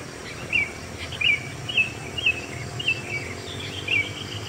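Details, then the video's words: Sooty-headed bulbul on a lively morning repeats short, bright, downslurred notes, seven in about four seconds, over a steady insect-like hiss; Sooty-headed bulbul. "Sound alam burung kutilang yang selalu ramai suasana pagi"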